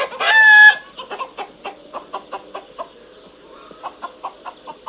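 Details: A rooster opens with a strong harmonic crow lasting under a second, then a run of regular clucks from chickens follows at a quick, even pace.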